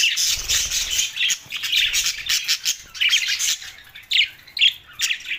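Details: Budgerigars described as lonely, recorded June 7, 2024, in Larkana, Sindh: dense scratchy warbling chatter with squawky notes, nearly continuous and thick in the first second, then broken into bursts with short pauses.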